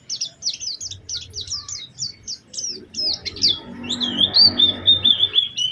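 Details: Lure song of a white-eye, lively with special phrasing, intended to prompt others to sing: a fast chatter of high chirps that turns into a longer, wavering, thin whistled phrase, with low background rumble.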